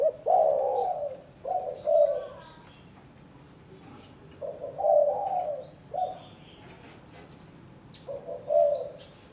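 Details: A caged spotted dove, hung beside a prospective mate for breeding pairing in Can Tho, Vietnam, gives soft, low, hoarse coo phrases, several in a row with short pauses, while small birds chirp high above.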